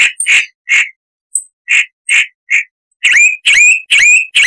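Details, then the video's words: Chalk-browed Mockingbird (Mimus saturnin) harsh song recorded as a tutor for cage birds: rough, croaking notes repeated about every half second, shifting at the end to louder notes with sharp upward-curving slurs; clean background. "Masteran Burung Luar Negeri Suara Kasar - Chalk-browed Mockingbird"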